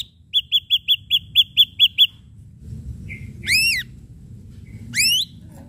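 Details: Chirpy ashy drongo lure phrase: a quick series of about nine bright repeated chips, then a short buzz and two loud, swooping, arched whistles.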